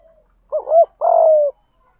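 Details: A single phrase from a decoy spotted dove used to lure doves, 'gù thúc' style: a short rising-falling double note followed by a sustained, gently descending husky coo.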